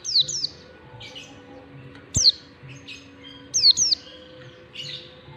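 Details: Oriental white-eye giving long standard 'ngalas' song for teaching young white-eyes: paired and single high, descending whistles scattered through the passage, with faint softer chirps between.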